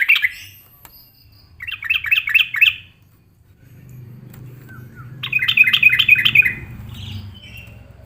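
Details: Aggressive reply from a yellow-vented bulbul looking for a rival: one clipped note, then a rolling burst of rich warbled notes. A steady low rumble begins partway through, and a second, louder bubbling phrase follows.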